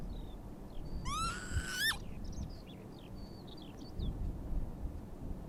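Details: Northern lapwing at Oandu, Virumaa, Estonia, March 2022: one loud wheezy slurred call near the start, followed by faint high chirps from other birds over low background rumble.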